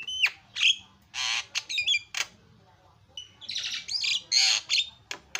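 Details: Javan myna (jalak kebo) giving loud isian song for bird tutoring: quick falling whistles, raspy squawks and buzzy bursts, a brief lull, then dense chattering screeches and thin whistles.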